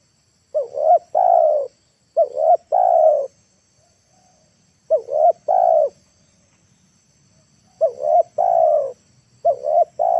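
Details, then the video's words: Afternoon trapping session with a decoy spotted dove calling wild birds down: five rhythmic phrases, each two quick rising notes and a longer falling coo, given in pairs with short gaps. "TEKUKUR PIKAT NEKAN,AGAR BURUNG LIAR TURUN TANAH"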